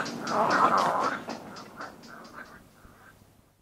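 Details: Little egret colony, close-up greeting ceremony with alarm calls: a loud burst of rough, guttural croaking that breaks into short clipped notes and fades out over about three seconds, wing and movement sounds around.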